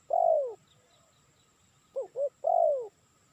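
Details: Spotted dove calling, a recording meant for luring birds: a long, low, downslurred coo, then after a pause two short clipped coos followed at once by another long falling coo, against a quiet background.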